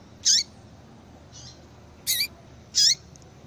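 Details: Calling female yellow-bellied seedeater, heard to get a male into breeding form: short rasping high notes, three loud and one faint, in under three seconds, with low hiss behind.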